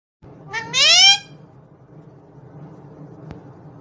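A parrot gives one brief, rising, nasal speech-like utterance lasting under a second, followed by quiet room tone and a single faint click.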